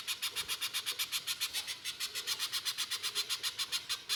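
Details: Spiderhunter, little or 'pijantung pisang', in full harsh 'mbeset nembak kasar' song used as a lure to make others sing: a steady unbroken run of rough, buzzy notes, about four each second.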